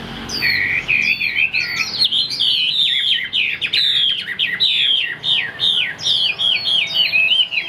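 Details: Loud, sustained Chinese hwamei song from a caged bird in Vietnam: fast chain of looping whistled phrases, each note sliding up and down, delivered almost without pause.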